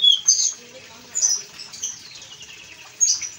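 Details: Blue-and-white flycatcher in lively song, given as a lure for wild-caught or kept birds: short, high, bright chirping phrases at about 0, 1.2, 1.8 and 3 seconds, quieter twittering between, over faint background hiss.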